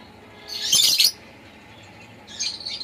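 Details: Pet lovebird giving one loud, harsh, high-pitched chirp lasting about half a second, then a softer, shorter chirp after a pause; faint steady hum in the background.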